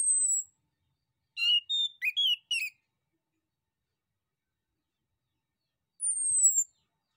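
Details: Male orange-headed thrush singing to provoke other birds into replying: a high falling whistle, a quick burst of four varied chirping notes, a long pause, then another thin, high, descending whistle.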